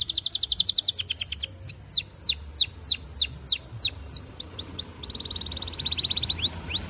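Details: Canary courting a female with long song, used to set other canaries singing; a fast trill gives way to a slow series of loud falling whistled sweeps, then short sweeps, another quick roll and a final sweep.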